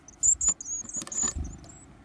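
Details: Varied tit young begging during a feed: a few piercing high squeals in quick succession, mixed with soft thumps and rustling of movement.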